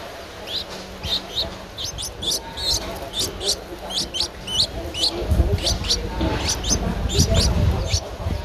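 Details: Begging calls from an 11-day-old Streak-eared Bulbul nestling in Ubon Ratchathani, Thailand, 13 April 2023: rapid, high, squeaky notes, several a second, over low rumbling and rustling noise.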